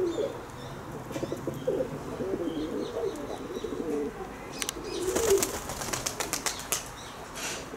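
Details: Kept pigeons coo low and throaty in the first half, followed by a burst of clattering and flapping noise with scattered clicks.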